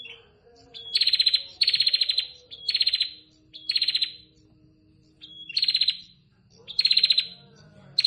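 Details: Calls of a female prinia to the male: six rattling bursts of quick, evenly spaced buzzy notes, several introduced by a thin whistled note, with quiet low background sound between.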